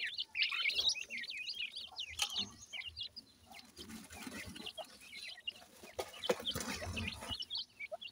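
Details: Indian Dakhni teetar (grey francolin) chicks kept in care, calling while feeding: many overlapping high, thin peeping chirps in quick succession, with soft low scuffling and tapping sounds underneath.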